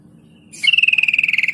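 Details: Sooty-headed bulbul lure sound, used to make bulbuls answer within seconds: after a faint lead-in, a buzzy rapid chattering trill of about eighteen pulses, steady and slightly falling, lasting about one second.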